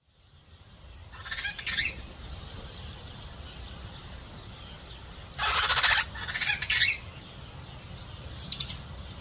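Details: Captive long-tailed glossy starling (Lamprotornis caudatus) gives harsh, broadband squawking bursts at about 1.5, 5.5 and 6.5 seconds, with thin high chips between, over a steady low background hiss.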